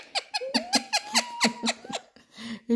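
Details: A pet ringneck parakeet, described as fighting, gives sharp, scratchy squeaks, about four a second, over a thin rising whistle, with laughter and music in the background.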